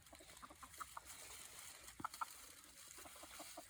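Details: Free-range chickens coming over for mealworm treats: soft, short clucks and murmurs scattered through a few seconds, a couple of sharper higher notes near the middle, over a steady hiss of background noise.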